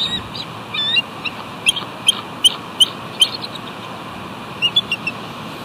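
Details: Eagles guarding their nest at West End, then taking off to chase off an intruder; sharp high chirping calls repeated in irregular bursts over steady broadband wind or surf noise.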